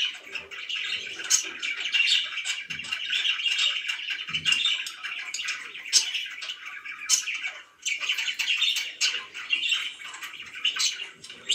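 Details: Budgerigars kept as pets chirp steadily, giving a scratchy, bubbling warble with scattered loud sharp chirps and a brief lull toward the end.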